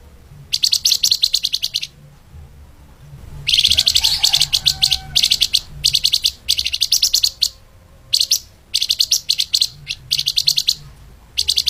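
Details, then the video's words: Mugimaki flycatcher, known locally as flamboyan, in soft fast tight training song: long rapid trains of high, crisp chirps lasting up to two seconds, broken by short silences, with a faint low hum behind. "MASTERAN BURUNG FLAMBOYAN/LEMAHAN SPEED RAPAT"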